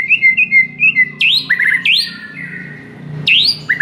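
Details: White-rumped shama master song meant to rouse a silent bird: clear whistled notes, then loud rising sweeps and rapid descending slurs, repeated with short pauses.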